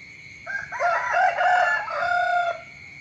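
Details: Rooster crowing in the morning: a loud multi-part crow, broken at first and then held as a long wavering phrase that drops at the end. A steady high whine runs beneath it.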